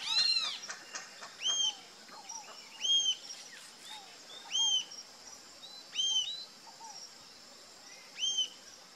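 Rufous-tailed Jacamar giving sharp, high, arched whistled notes, one roughly every one and a half seconds, with fainter bird calls in the background.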